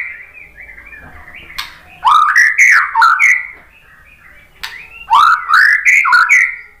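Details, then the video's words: White-rumped shama song used as bait to provoke fighting males: two bursts of loud, rich, slurred whistles with sweeping rising and falling notes, separated by a quiet pause of about a second. "SUARA MURAI BATU bikin EMOSI FIGTHER jadi NYAUT GACOR"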